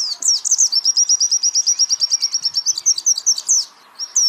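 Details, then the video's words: White-eye singing a long, rapid trill of high repeated notes, framed by sweeping chirps at start and end, recorded as training material for songbirds; a short pause near the end. "pleci Jawara Pake Masteran ini jamin Geter-GETER!!!!!"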